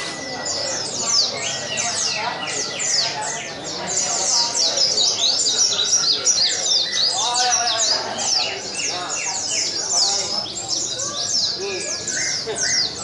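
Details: Many Oriental white-eyes (pleci) singing together during a contest in Sungai Pinyuh, 29 January 2017: a continuous torrent of shrill chirps and rapid falling trills, lower warbling phrases midway, and background talk from the crowd.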